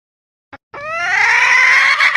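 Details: Red junglefowl hen giving a mating-solicitation call, used as a lure call for hunting from a hide: one drawn-out, nasal, rising call that climbs then holds steady, after a brief soft click.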